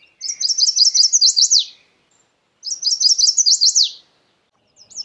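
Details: Two clear chestnut-sided warbler songs, each a quick sequence of bright, high-pitched up-slurred notes that ends in an emphatic drop, about two and a half seconds apart.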